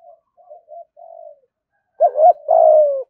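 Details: Spotted dove using a 'thúc gù' provoking coo to call rivals in to fight. Soft, low murmured coos lead into one loud phrase: a quick double note followed by a drawn-out falling hoot.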